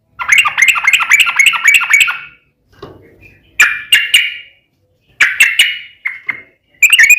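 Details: Rapid 'ropel' song of a yellow-vented bulbul, used to draw responses from other birds: a quick rattling phrase of repeated notes, then short bursts of three or four sharp chirps separated by pauses.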